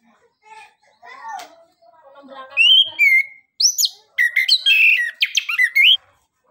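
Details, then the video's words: Anis kembang singing 'nembak, ngeriwik' style, a lure for birds slow to sing: soft, lower, scratchy notes build up into loud high whistles, sweeping upslurs and rapid chattering phrases. "Anis kembang suara nembak,ngeriwik gacor"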